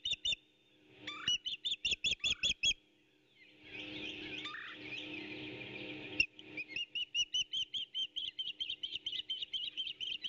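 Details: Osprey at its nest during an intruder's repeated attempts to steal a freshly delivered fish, 8 April 2018 at 11:18; rapid series of sharp, high chirps in bursts, with a rustling, noisy flurry midway.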